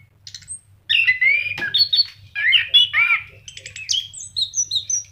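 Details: Orange-headed thrush pouring out a rich, varied song of swooping whistles, harsh rasps and thin high notes, ending in a series of short descending whistled phrases over a faint electrical hum.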